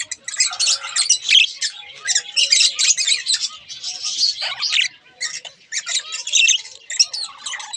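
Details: Budgerigar pair kept as pets, giving continuous scratchy, buzzy warbles and high chirps that rise and fall in loudness, broken by a few brief pauses.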